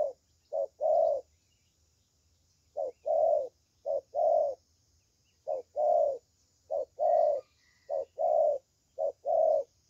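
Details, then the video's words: Spotted dove, young bird with a strong 'thổ' style voice, in bursts of hollow coos, mostly short-long pairs and some triplets, with a pause after the first phrase; faint low hum and a high whine throughout. "Thổ Tơ Tốt Tiếng"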